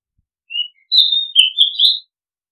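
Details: Oriental magpie-robin, known in Thai as nok kangkhen ban, singing one clear whistled phrase. A soft introductory note leads into a ringing descending whistle, then a quick run of slurred, bubbling notes ending on a higher whistle. No other sounds are heard.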